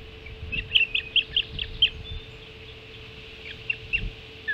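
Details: Ospreys at their Hog Island nest during an early breakfast feeding at 05:20 on 7 July 2016: a run of high, sharp whistled chirps in quick succession, then a pause and a few more chirps, over low rumbling background.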